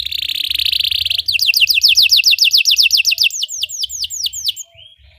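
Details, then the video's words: Belgian canary singing as training for other canaries: a buzzy trill at first, then rapid repeated downward-sweeping whistled notes, several per second, ending in faster, higher slurred notes. "Belgian canary singing makes your canary sing"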